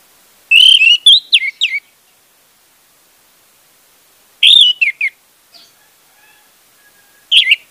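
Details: Orange-headed thrush (anis merah) song used as a lure to get a silent bird singing: loud, clear whistled phrases with quick slurred notes, given in two short bursts several seconds apart, then a brief final phrase, in a quiet background.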